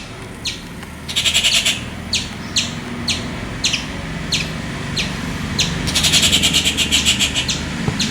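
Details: Loud, raspy rufous treepie calls in the wild: sharp clipped notes repeated roughly every half second, broken by two harsh rapid rattles, over a low background rumble.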